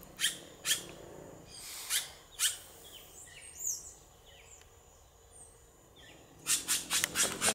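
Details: A red-rumped cacique (guaxe, Cacicus haemorrhous) gives sharp, loud clacking notes in bursts, with a quick run of high, varied chirps and whistles between them.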